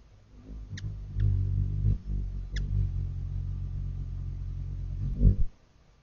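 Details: Ruby-throated hummingbird in flight: a low, steady wing hum from a hovering hummingbird swells and fades over about four seconds, with a few brief high ticks near the start.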